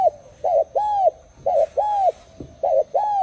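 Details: Spotted dove giving mellow, rounded coos in quick pairs: a shorter note followed by a longer, slightly falling one, repeated about every second. A thin steady high tone sits in the background.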